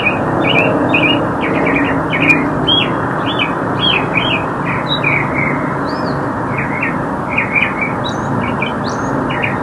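A northern mockingbird sings a rapid, varied run of high chirps, slurs and whistled phrases, over a steady roar of traffic.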